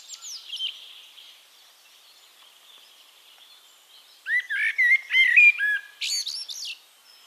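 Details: Castricum, the Netherlands: a Eurasian blackbird delivers a loud mellow warbled phrase that ends in high, thin squeaky notes, after several seconds of quieter distant song.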